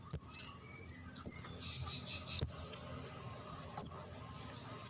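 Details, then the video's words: Juvenile orange-headed thrush from Java, locally called ndas abang, begging; used as a lure for catching birds. Thin, very high squeaky notes at irregular intervals of about one to one and a half seconds, with a brief soft burbling run between them. "suara pikat anakan burung kemade jawa/ ndas abang ampuh"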